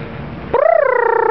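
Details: A pet parrot on an outdoor walk in sunny Florida, bonding with a man; it gives one sustained, clear tonal cry that rises briefly then levels and slowly falls, answered by its owner, after quiet chatter.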